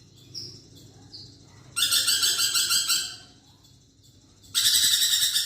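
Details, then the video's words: A lorikeet in lively chatter, recorded as a model for songbirds: soft short whistles at first, then a harsh pulsed burst of about one and a half seconds, a quiet pause, and another loud grating burst. "BURUNG NURI PERKICI GACOR"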